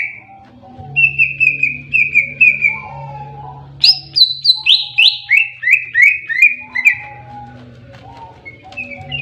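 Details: Greater green leafbird delivering fighting (tarung) song: a series of clipped whistles, then a higher descending chain of slurred notes about three per second, with a low background hum.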